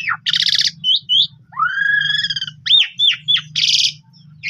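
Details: Asian pied starling of the pundung type, a bird kept to be lured into song, with a varied phrase of harsh buzzy bursts, clear rising and falling whistles and slurred notes, over a steady low hum.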